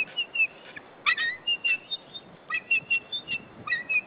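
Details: White-tailed eagle at its nest on 15 April 2013, calling in alarm at intruders near the nesting territory: a series of thin, high yelping whistles, some falling, repeated irregularly about every half second.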